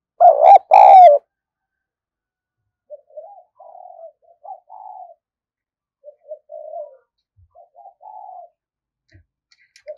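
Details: Energetic decoy spotted dove opening with a loud, harsh, close double coo, then a string of quieter, soft short coos spaced irregularly over several seconds.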